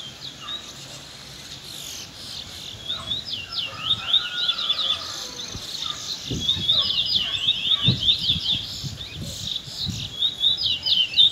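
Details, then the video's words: Young Trinidad bullfinches, two birds, singing in the afternoon: quick high warbled phrases of looping, slurred notes, broken by pauses, with dull knocks and low thumps in the background. "RUDY AND SMARTMAN afternoon close shy (trinidad bullfinch)"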